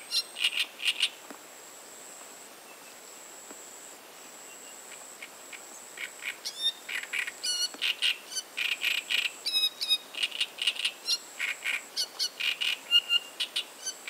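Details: A singing Great reed warbler gives a short burst of harsh chattering notes, falls quiet for several seconds, then launches into a long rapid sequence of rasping, croaking syllables with occasional higher squeaky notes.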